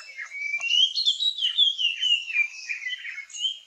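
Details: Puff-throated babbler singing during a display dance in the Nilgiris, India: a continuous run of clear whistled notes that rise and fall, with thinner, higher twittering notes above.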